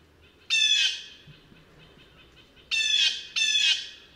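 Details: One rough, screechy call from a blue jay, then a pause and two more raspy squawks delivered close together.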